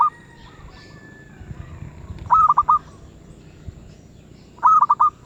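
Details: Zebra dove singing 'suara sedang' (medium voice): two bright, rolling four-beat coo phrases over two seconds apart, preceded by a fragment of another, with a thin steady whistle-like tone early on.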